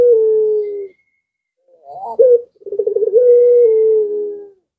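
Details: Zebra dove in breeding condition, prompting nearby doves to sing: a long level coo ending, a pause, then a rising opening note, rapid rolling stutter and another drawn-out steady coo.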